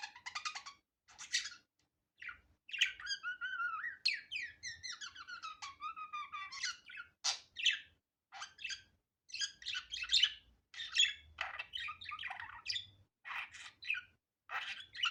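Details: Budgerigar chattering in an unedited recording: a long, continuous warble of squeaky, clicking and whistled notes with a wavering pitch, punctuated by sharp chirps and short gaps.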